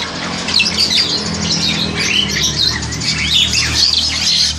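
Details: Crested myna about 7 months old, ready for a captive breeding cage, giving a dense run of harsh squawks mixed with sharp whistled and chattering notes, continuous through the clip, over a low background hum.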